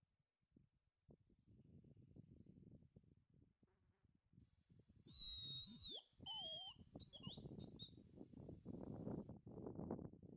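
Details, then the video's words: Male hazel grouse (Tetrastes bonasia) whistled song, recorded close up: very high, thin whistles, a drawn-out note followed by shorter wavering ones, with faint rustling underneath. "Свист рябчика"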